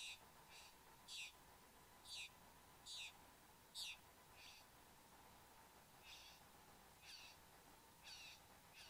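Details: Satin bowerbird male and female in the bower, Australia, 15 November 2014 at 9:05 am, bower camera: a series of clipped, high, rasping buzzes about once a second, louder at first and softer later, with a steady background hum.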